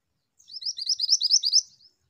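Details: Female Pied Bushchat calling actively in a brisk sequence of about nine piercing, rising chirps at a regular pace, with a thin faint tail note after.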